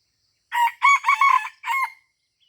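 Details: Junglefowl crowing during luring at Taman Rusa in Aceh, Indonesia: a loud, harsh four-part crow with a short first note, two longer ringing middle notes and a clipped final note, lasting about one and a half seconds over silence.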